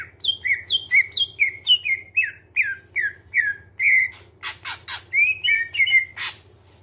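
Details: Greater green leafbird in clear song, played to coax other birds into singing: a regular string of downslurred whistles about two per second, then loud harsh bursts mixed with warbled whistles; steady low hum.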